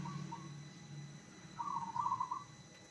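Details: Zebra dove song intended to get other zebra doves answering: a few soft lead-in coos, then a quick rippling trilled phrase that wavers and ends abruptly, with a low droning noise beneath.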